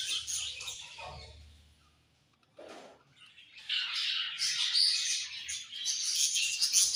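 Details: Budgerigars chatter in high, scratchy warbles that fade into a short quiet patch, then build again into a steady, dense chorus of squeaks and twitters.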